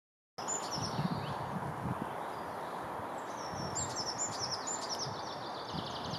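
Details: A common chaffinch at Kurkimäki, Helsinki, Finland, on 7 May 2021 sings a quick run of high, bright notes that tumble down in pitch, against a steady low rumble of wind or distant traffic.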